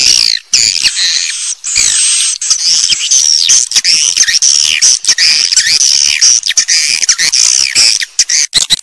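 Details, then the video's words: Dense high-pitched swiftlet twittering, buzzy and trilling, with rising and falling whistled strands running almost without pause. "SUARA WALET FULL DURASION"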